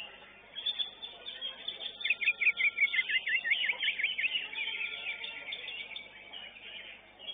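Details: Greater green leafbird (cucak ijo) at a songbird singing competition, elite class: rapid chattering, twittering phrases with a run of quick repeated notes, over the murmur of a crowded contest arena with many other birds.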